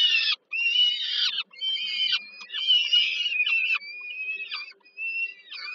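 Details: Young peregrine falcons being fed dinner by their mother at Termika Żerań in Warsaw, Poland, 15 July 2022: loud, grating screams overlap in dense runs, broken by brief silences, some cries sliding downward at the end.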